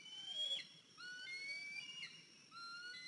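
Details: Young eagle, 103 days old, on its nest at 10:57 am, 14 April 2023, after returning with a limp: drawn-out piercing whistles that step up and down in pitch, with a faint low gliding tone underneath.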